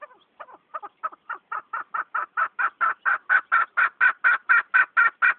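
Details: Chukar partridge, keklik in Turkish, delivering an accelerating series of harsh chuck notes that grow steadily louder and more even, about two per second, in a clean recording without other sounds.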